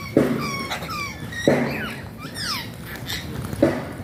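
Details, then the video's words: Alexandrine parakeet producing funny talking sounds: clear whistled harmonic notes, some gliding up and others sliding down, strung between three dull thumps spaced about 1.5 seconds apart in a small room. "Alexander pahaadi tota funny talking sounds"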